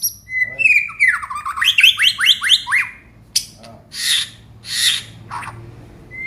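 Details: White-rumped shama of the Aceh type singing part of its repertoire. A fast run of repeated, rattling falling notes is followed by a pause, then harsh, noisy bursts and a final whistle.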